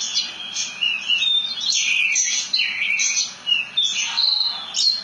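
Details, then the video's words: Rolling song of a Javan bush lark, called branjangan: continuous high twittering with slurred whistles, buzzes and quick trills. "Kicauan Burung "BRANJANGAN" Ngerol Nembak Mantap !!!"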